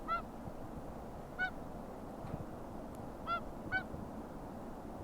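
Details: Recorded at Akureyri on 5 April 2020, Whooper Swans trade resonant trumpeting honks: four separate calls spread over five seconds, the last two in quick succession, with continuous low ambient rumble.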